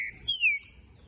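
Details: A single drawn-out whistle from a young green-winged saltator (trinca-ferro) of Pica Pau x Fogueira song genetics, held at a breeding aviary; the note slurs smoothly down, preceded by a brief lower tone.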